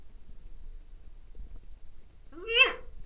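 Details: A pet parrot kept indoors with another bird gives a single loud, harsh, harmonic squawk-like utterance near the end, preceded by near silence and faint background rumble.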